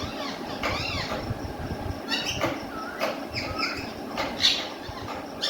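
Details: Caged pet ringneck parrot talking in Urdu or Hindi: a few short harmonic, arched speech-like syllables with rising and falling pitch, spaced across the recording over a steady low room hum.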